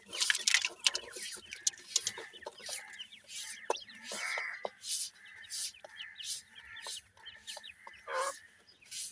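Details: Francolin (teetar) chicks being fed, giving a busy chorus of short, high peeps and rising chirps with scattered clicks and light tapping throughout.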